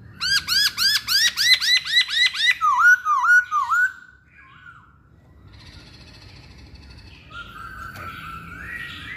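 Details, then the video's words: Loud rhythmic masked laughingthrush song: about ten evenly spaced rising harmonic notes, then three falling-rising whistles, a pause with faint rustling, and a soft long rising whistle at the end. "Kicauan Poksay Hongkong"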